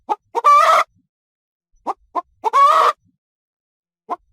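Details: Hen clucking around the coop: clipped staccato clucks alternate with two harsh, sustained cackles about two seconds apart, against a silent background.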